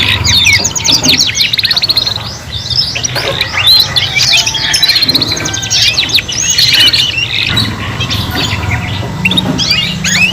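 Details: Three young canaries learning to sing, pouring out dense high trills, chips and rising whistles in overlapping bursts, with a low droning hum underneath throughout.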